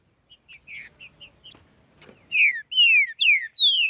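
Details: Green-winged saltator song played to warm up other saltators and get them singing: faint short chirps at first, then loud, clear descending whistled slurs repeated about once every half second.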